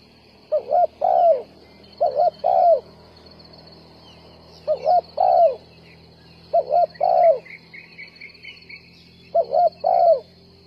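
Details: Spotted dove serving as a decoy in trapping, repeating a two-part coo four times, a short double note then a longer falling note, with low rumbling background, faint higher chirps and a steady hiss.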